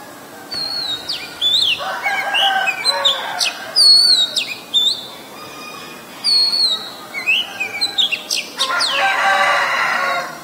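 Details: Oriental magpie-robin, a very common resident, recorded on 23 December 2019 in Ubon Ratchathani, Thailand, with a Nikon P1000: sharp whistled notes, slurred and varied, come in short bursts while a rooster's crowing rises and falls underneath.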